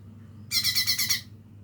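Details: Young lesser green leafbird learning to sing: a single loud, harsh rattling burst of about six quick buzzy pulses lasting under a second, then quiet with a low background hum.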